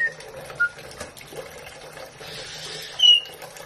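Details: A pet White-bellied caique bathing, circling its water dish while singing: a few short, shrill whistled notes, one high and piercing near the end, over soft splashing water.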